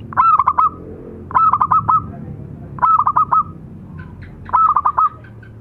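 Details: Local zebra doves, male and female, singing short clusters of quick stuttering coos about every second and a half, over a low background rumble.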